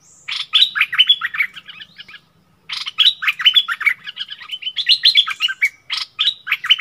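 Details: Bulbul dueling with a wild bird that displays back, both refusing to yield, 27 March 2021: dense, rapid chattering phrases with rising whistled slurs, repeated in two long runs around a short silence.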